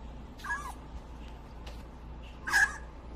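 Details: A baby grey parrot whines, giving two brief, nasal cries about two seconds apart, the second louder, while being hand-fed pellets outside its cage, over a low steady hum.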